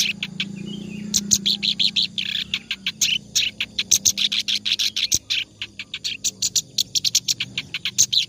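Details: Clamorous reed warbler singing continuously in the ngacor style, recorded as tutor material for other songbirds: rapid harsh, scratchy chattering notes, densely repeated with brief pauses, over a faint low hum.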